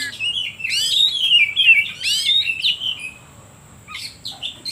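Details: Provoking song of an oriental magpie-robin (kacer), used to stir other birds into song. A long flowing run of sweet whistles and sweeping trills fades, then short sharp chips follow after a near-silent gap.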